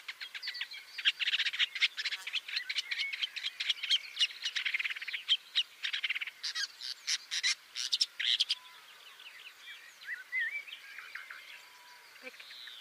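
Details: Shrike out hunting, impaling live prey: long stretch of dense scratchy chattering and clicking notes, fast and continuous, easing into sparser squeaky chirps toward the end.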